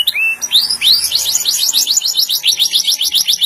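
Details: Singing canary opens with a few slow upward-sweeping whistles, then breaks into a rapid rolling trill of short repeated notes that carries on without pause, over a faint low background hum.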